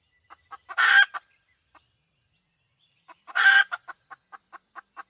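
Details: A female chicken gives two loud, rasping drawn-out notes about two and a half seconds apart. Each is framed by short clipped clucks, which speed up into a steady tapping series after the second.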